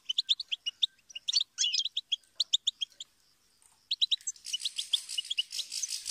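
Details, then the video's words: Goldfinch song in quick rhythmic series of bright, clipped chirps and twitters, with a short pause near three seconds, then more chirps overlaid by a rushing, broadband rustle in the final two seconds. "Melodies of Inspiration Motivational Goldfinch Serenade"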